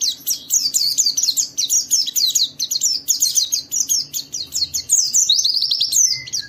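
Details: Ngalas, ngeriwik white-eye song from Indonesia, a lure so other white-eyes join in. Almost continuous, very high chattering twitter of rapid slurred chirps, ending in a buzzy trill and a couple of lower notes.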